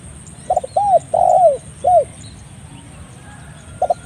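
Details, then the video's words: Spotted dove calling with clear voice, a recording for training songbirds and for luring: low mellow coos, a short doubled note followed by longer downslurred hoots, then a faint pair of notes after a pause, against a steady background hum. "Masteran Burung Tekukur / Derkuku dengan Suara Jernih Cocok juga untuk Pikat"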